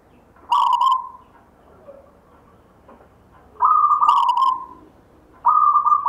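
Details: Zebra dove (perkutut) of a local wild line, cooing three firm mid-pitched notes with abrupt onsets. The second and third notes are longer and level, and the gaps between them are irregular, with a few soft ticks in the pauses.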